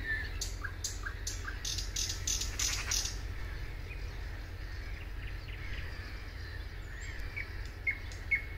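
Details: Thrush nightingale singing at Suomenoja in 2022: loud, hard clicking notes rapidly repeated for about three seconds, then quieter scattered whistles, with a steady low rumble of background noise throughout.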